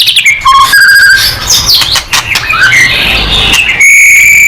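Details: White-rumped shama, a singing bird used to provoke other birds into song, giving loud varied whistles, sweeping slurs and harsh chattering notes with steady piercing tones near the end, in a small indoor space.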